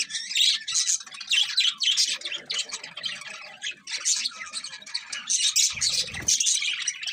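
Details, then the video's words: Morning bird chatter: many birds chirping and squawking at once in high, scratchy bursts that pulse roughly every half second, with a short low thud near the end. "Cute Birds Chirping Sounds In The Morning"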